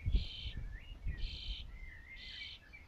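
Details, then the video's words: Nearly fledged young common starlings give three harsh, hissing begging rasps about a second apart, a constant call for food that drives the parents to keep feeding, with thin whistles between and a low rumble beneath. "Hungry Starlings"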